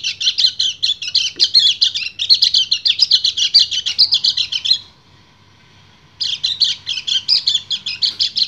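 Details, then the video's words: Breeding male white-eye singing to call a female: nearly five seconds of fast, high chattering notes, a pause of over a second with a faint steady tone, then the rapid twittering resumes. "PLECI GACOR NGEBREN - KECIAL KUNING BIRAHI MEMANGGIL BETINA"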